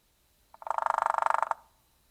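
Hairy Woodpecker drumming: one fast, even roll of about twenty tightly packed beats lasting roughly a second, quicker than a Downy Woodpecker's drum.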